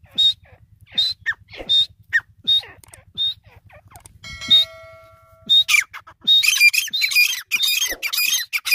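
Grey francolin giving loud, shrill, harsh notes, repeated roughly every half second and building into a dense ringing chorus, over a low mechanical hum.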